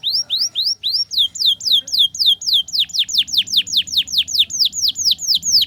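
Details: Canary tutor song in the ngriwik style, played for young canaries learning to sing: a fast series of loud, clear sweeping whistles, first rising then falling, about three to four per second, with a faint low hum beneath.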